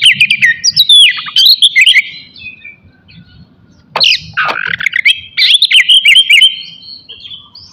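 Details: Morning ngeplong song of an Oriental magpie-robin, played to rouse emotion and breeding drive in other magpie-robins. Varied whistles and twittering notes come in dense bursts, a short gap, then a sharp rising phrase and renewed warbling.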